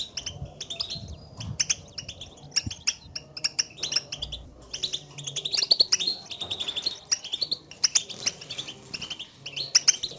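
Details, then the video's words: European goldfinches giving batbata contact calls, played to prompt a solitary caged goldfinch out of silence; continuous tinkling chirps and short buzzy trills, denser and louder in the second half. "البتبتات لأخراج حسونك من صمته"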